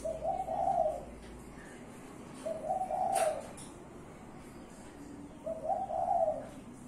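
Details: Spotted dove, part of a keeper's collection, cooing in low soft phrases, each a short rolling coo about every two and a half seconds, three phrases heard, with a brief click between them.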